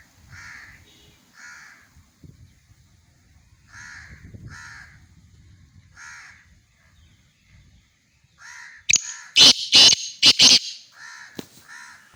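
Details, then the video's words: Black francolin giving repeated harsh, scratchy notes in short phrases roughly every second. Near the end, several much louder bursts crackle and overload the sound. Faint rustling is audible underneath. "kala teeter ki awaz"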